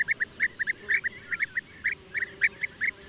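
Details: European bee-eater notes in pairs and small clusters, each brief and rolling, spaced irregularly over a soft background hiss.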